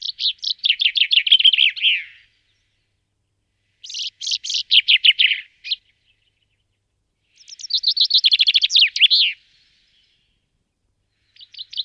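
Common Chaffinch singing: bright, fast descending rattles of sweet notes ending in a flourish, each phrase about two seconds long and repeated every few seconds.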